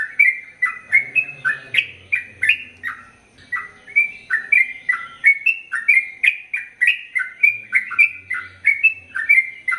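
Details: Sooty-headed bulbul (Pycnonotus aurigaster), song.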